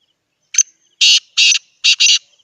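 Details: Pet, hand-tamed black francolin in Pakistan giving its call: one brief sharp note, then four loud, rasping, buzzy notes, the last two run close together in a harsh stuttering phrase.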